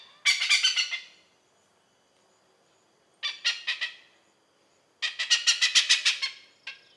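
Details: An Oriental pied hornbill in Malaysia gives three loud, harsh cackling bursts of rapid notes, each about a second long, with short quiet gaps between them.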